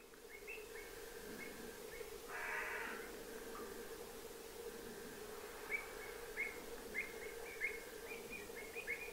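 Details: Water pipit in winter, recorded 5 March 2023 from an observatory at the Séné nature reserve, Gulf of Morbihan, France, giving short, thin, high chirping calls in irregular clusters over a steady hum and brief noisy burst.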